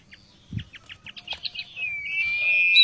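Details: Oriental magpie-robin vocal tutor song: a series of short soft chips that grow louder, leading into a sustained clear high whistle that rises slightly at the end.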